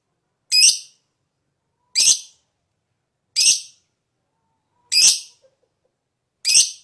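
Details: Lovebird fighter in high breeding condition, lure song: five harsh, high chirps spaced about one and a half seconds apart, each a short buzzy burst with a falling tail, otherwise quiet.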